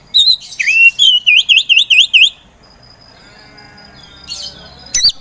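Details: Poci-type Oriental magpie-robin, a provocateur contest songbird, whistles a curved note, then a rhythmic run of five or six identical V-shaped whistles, each about a fifth of a second apart. Quiet follows, ending with one sharp high note.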